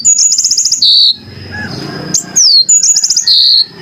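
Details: Yellow-fronted canary, called Mozambik, singing clearly: bright high phrases of rapid buzzy trills and clean downslurred whistles, broken by a short pause with faint low background rumble.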